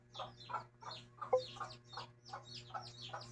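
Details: Mother hen with her chicks: steady low clucks repeating about every third of a second, mixed with thin, high peeping from the chicks throughout.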